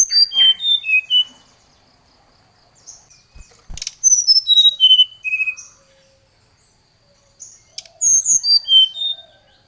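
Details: Brown-chested jungle flycatcher in vigorous, agitated lure song summoning a rival: three bursts of pure whistled notes, each stepping down in pitch, separated by pauses, with a couple of brief clicks in between.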